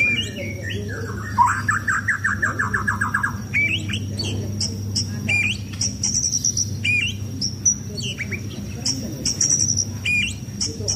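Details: White-rumped shama kept for contests, sunbathed to stay fit: a rapid buzzing trill early on, then a long stretch of sharp high chips and short upturned whistles repeated irregularly over a low hum.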